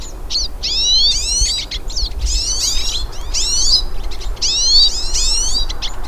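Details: A group of hooded siskins singing out in nature; fast, bright twittering phrases, each lasting about half a second, repeat in quick succession, sweeping high and jingling, above faint low background noise.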